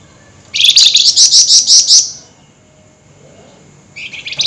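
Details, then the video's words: Flameback at night giving an excited, rapid chattering rattle of about a dozen high, harsh notes over one and a half seconds, then a quiet pause and the start of another burst. "Burung FLAMBOYAN GACOR Nyerecet Emosi Tinggi DiMalam Hari"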